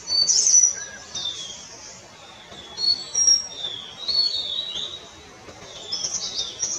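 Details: Palani laughingthrush (Palani Chilappan): high twittering chirps and thin slurred whistles rise and fall in several loud bursts with short lulls between them.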